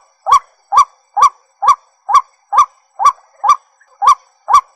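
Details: Repeated calls of a white-breasted waterhen, each a brief, strident, slightly upturned croak, delivered in an even rhythm roughly every half second, ten notes in under five seconds against a quiet background.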